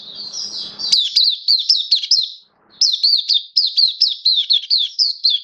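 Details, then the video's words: Caged Kitaro oriental white-eye, form dipped a little, gives a continuous fast run of high, bright whistled notes with a brief pause midway, a low hum audible at the start. "Mata Puteh Kitaro Buka Sing"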